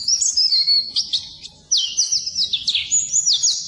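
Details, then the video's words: Oriental white-eye (pleci) song used as a training recording for birds that have stopped singing: high, rapid twittering phrases of sliding whistled notes, with a brief pause midway before the warbling resumes. "Suara Burung Pleci Masteran Pleci Full"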